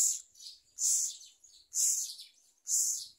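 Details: Myna chick being fed a large blue caterpillar by its parent: harsh, hissing high calls in loud bursts of about half a second, four bursts with quieter rasping between them.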